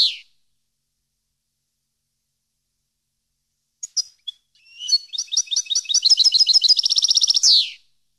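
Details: Goldfinch song for training captive birds: after a brief opening note and silence, a few scattered chips lead into an accelerating, ringing trill of high tinkling notes that ends in a buzzy sweep.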